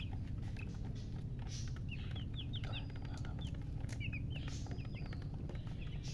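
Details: Just-born chicks peeping in scattered groups: sharp high chirps, a few in quick succession, then gaps, over a persistent low rumble.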